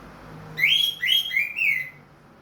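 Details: Caged orange-headed thrush with a leg ring, freshly through its moult, delivering 'plong' song: four smooth whistled slurs in quick succession, each bending up then falling, with a faint low hum behind.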